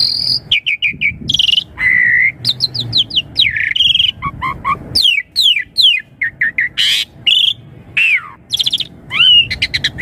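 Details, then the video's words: Asian pied starling in a long, varied song meant to get young birds answering: fast chirps, whistled slurs, harsh bursts and rising and falling notes in quick succession. "Suara Jalak Suren Untuk Pancingan Burung Jalak Suren Muda Agar Cepat Nyaut"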